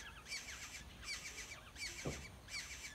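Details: Black-hooded oriole chicks being fed by adults in a wild nest, giving bursts of harsh, buzzy, rasping begging notes with a bright upper edge, in clusters roughly every three-quarters of a second, over low background rumble.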